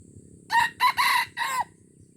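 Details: Red junglefowl from Aceh, Indonesia, a lure bird on its first trial, gives a loud harsh crow in four hoarse bursts over about one second, the last part drawn out and slightly falling, with faint background hiss.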